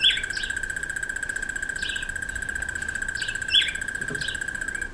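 Red bishop giving short, scratchy chirps about once or twice a second, over a steady high insect drone.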